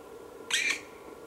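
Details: Black woodpecker chick calling for food at Ås, Norway, on 25 May 2017: one harsh, hissing squawk about a third of a second long, split into two close bursts, over a steady low background hum.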